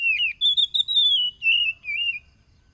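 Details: Oriental magpie-robin singing to stir a caged bird into song, recorded in Lampung, Indonesia, on 30 July 2022 with a phone: a quick run of sweet, sliding whistles and short warbled notes.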